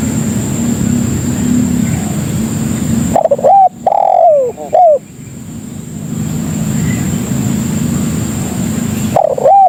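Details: Spotted dove lure call for attracting other doves: one phrase of short hooked notes, a longer falling coo and a final short note, then another phrase beginning at the end, amid steady background noise.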